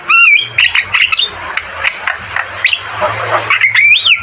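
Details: Vigorously singing Javan myna for training caged birds: opens and closes with clear rising-falling whistled notes, while the middle holds a run of rough squawks and scratchy chatter.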